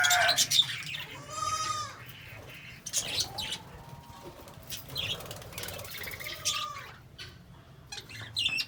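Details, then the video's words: Lovebirds calling with a loud burst of chirps, then a harsh buzzy rasp and several arched squeaky notes spaced a second or two apart, with quieter twittering between. "LOVE BIRDS SOUND Relaxation|Bird Chirping sound"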